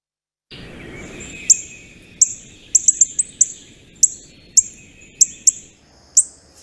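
Northern Cardinal giving about a dozen sharp, metallic chip notes at an uneven pace, roughly every half second, over a faint steady hiss.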